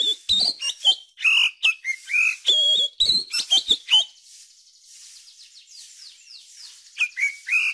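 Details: Oriental magpie-robin song, used to prompt young birds to sing: loud, varied whistled phrases and sharp chirps in quick bursts, then a quieter run of rapid high twitters.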